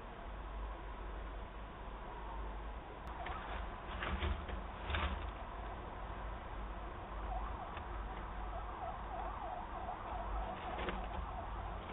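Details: Steady low background rumble with a faint wavering siren in the distance and no animal voices.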